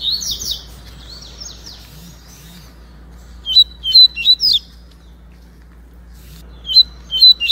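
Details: White-breasted and yellow-breasted Double-collared seedeaters dueling in the Baiano song style; an opening flurry of fast buzzy slurs, a long quiet stretch, then two bright groups of clipped, repeated whistled notes.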